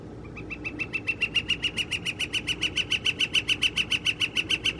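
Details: Northern flicker mating call recorded on April 17, 2021: a long, steady series of loud, identical clipped notes repeated about three times a second, rising slightly in volume, over a low background rumble.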